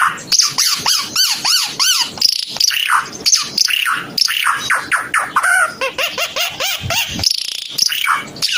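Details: Red-eyed bird of Timor in busy song, repeating arched whistled notes at a fast pace, mixed with high chips and occasional buzzy phrases.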